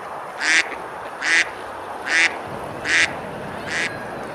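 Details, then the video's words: On a summer day at Besalú in Girona, Spain, ducks feed and splash on the river; five rasping quacks come at an even pace, about one every 0.8 seconds, over a constant wash of flowing water. "Ducks quacking, eating and splashing on the river"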